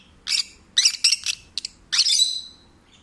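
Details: A rescued pet peach-faced lovebird sings happily and relaxed, giving bursts of shrill, buzzy chattering and squeaky twitters in a few short phrases in quick succession over a quiet room background.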